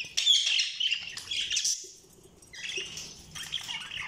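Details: Budgerigar chirping: bright warbled chirps and squeaky notes in short bursts, a quieter pause in the middle, then more chattering chirps.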